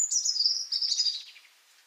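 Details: Single European robin phrase recorded in Liepāja, Latvia, January 2023: a high, sweet, shimmering trill that slides gradually downward and fades out within two seconds.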